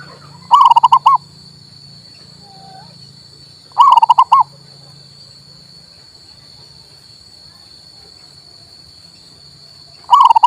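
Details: Local male zebra dove singing to prompt a mute bird: three brief, fast-pulsed cooing bursts spaced about three seconds apart, mellow and evenly pitched, separated by quiet stretches with a low hum and a high steady whine.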